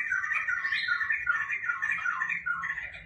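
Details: Laughingthrush singing energetically indoors at home: a rapid string of bright whistled notes repeated several times a second, with one higher rising whistle early on and a steady low hum beneath.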